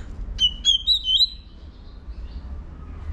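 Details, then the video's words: White-rumped shama singing to push young birds into competition singing: a brief burst of high, rippling whistled notes lasting about a second, followed by near silence and low background hum. "Chòe Lửa hót tạch đập đuôi KÍCH BỔI YẾU LỬA SỔ GIỌNG. kích chòe Lửa hót đấu. chích chòe lửa hót"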